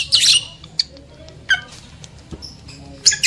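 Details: Lovebird squawks meant to arouse breeding males and females: one harsh loud burst at the start, sparse single sharp chirps in between, and another shrill squawk at the end.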